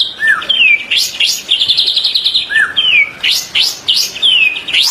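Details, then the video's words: White-rumped shama song meant for training caged birds: clear downslurred whistles alternating with sharp upward flicks and short buzzy chatter, phrases repeating roughly every second. "MASTERAN MURAY BATU 2024"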